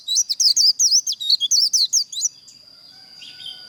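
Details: White-eye líu song for contest training: a fast, slurred chain of about fourteen shrill, swooping whistled notes lasting just over two seconds, then a steady high hum.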